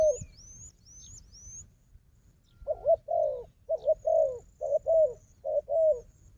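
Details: Wild dove described as a strong fighter, facing an equally strong decoy dove; after a quiet start, a run of low, rounded coos comes in short bursts about once a second, with thin high whistled chirps from another bird early on.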